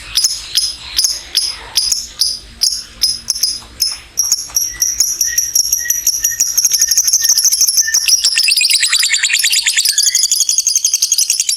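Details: Lovebird long ngekek trill meant to stimulate other lovebirds: spaced high metallic clicks at first, accelerating into a continuous shrill, buzzy chatter that runs for several seconds with occasional softer squeaky notes.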